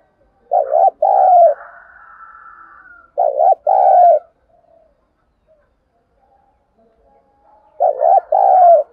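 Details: Spotted dove decoy giving its lure call to stir other doves: three phrases spaced several seconds apart, each two brief pulsing coos then a longer lower coo, with silence between.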